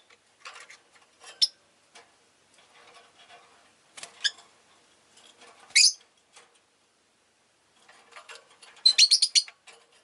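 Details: Pet rosy-faced lovebirds in a lively flock give scattered thin chirps, one loud piercing shriek, then a fast rattling run of harsh notes, over faint background murmur.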